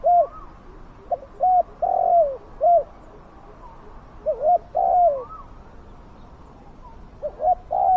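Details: Hooting coos of a spotted dove used to lure wild doves, delivered in three phrases of short notes ending in a long downward-bending coo, with a faint rising whistle from another bird behind.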